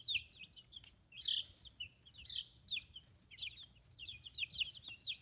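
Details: Chicks of a free-range flock, 15 days old with feathers growing in, raised in Kitakami-area Hiroshima, Japan: continuous high peeping, many short downward-sliding chirps overlapping in bursts with brief quieter gaps.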